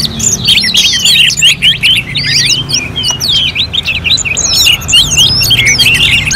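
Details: Kept orange-headed thrush from Singaraja, North Bali, singing like at a bird contest: dense, fast warbling of sharp chirps, quick slurs and trills, high and restless, with barely any pause across the passage; low background hum.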